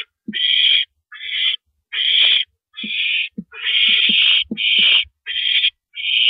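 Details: Rasping barn owl hisses at the nest during a rabbit prey delivery at 2:42 AM, 7 April 2012; about eight loud bursts, some running longer, over scattered clicks and knocks.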